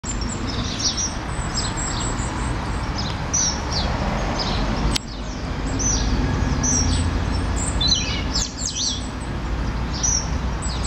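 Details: Goldcrest (Regulus regulus) feeding in Norway spruce in a Hull front garden with leylandii, where males sing in spring. It gives very high, thin, needle-like notes in scattered short bursts over a low rumble of wind or traffic.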